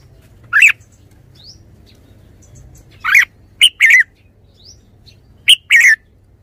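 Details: Red-whiskered bulbul repeating brief song phrases every two to three seconds, each a crisp opening note and a liquid, slightly descending warble; soft faint chirps between phrases.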